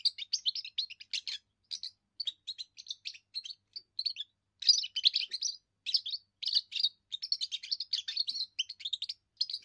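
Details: Steady, near-continuous high twittering from a young European goldfinch in its first song, a display for territory and for attracting females, with short tinkling phrases following each other almost without pause.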